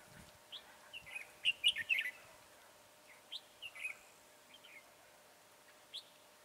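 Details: Red-whiskered bulbul used as a decoy in trapping, recorded 22 January 2018: short bright warbled phrases of rising and falling notes around the middle pitch range, a burst of quick notes followed by scattered single notes over quiet background hiss.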